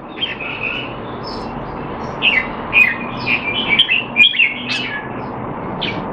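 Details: Red-whiskered bulbul kept in a cage in Singapore, training on 25 December 2020 and described as not in form; a few scattered short whistled notes and a livelier chirpy cluster midway, against a constant background hum.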